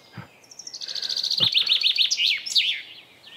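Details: Chaffinch perched on a microphone outdoors in spring sings a bright, quickening cascade of high notes lasting about two seconds, ending in a short flourish; two dull thumps nearby.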